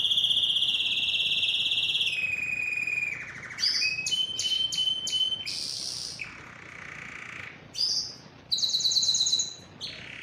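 Canary song: long rolling trills on steady pitches, switching abruptly between tours, with rapid high chips and buzzy rattles in between.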